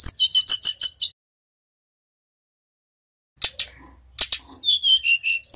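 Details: Brown-chested jungle flycatcher, Bali variety, in a lure recording: a fast series of high chipping notes, a long silence, then sharp rattles and a jumble of slurred whistles.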